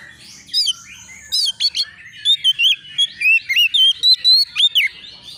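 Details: Young untrained Oriental magpie-robin, agitated and answering as it seeks a rival, singing loud whistled phrases: sharp up-and-down sweeps and short slurred notes in quick bursts, fast and irregular, over faint low background hum.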